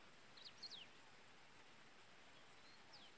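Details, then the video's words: Pileated finch while feeding its chicks, giving a short cluster of sharp, high, falling notes, then a lone thin downslur after a pause, against a quiet hissing background. "Galinho-Da-Serra, Alimentando Seus Filhotes"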